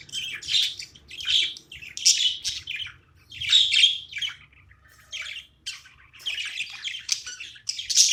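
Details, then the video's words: Pet budgerigar chirping while playing indoors; bursts of scratchy, high chirps in short clusters separated by brief pauses, with a faint low hum beneath. "My cute budgie's playing time"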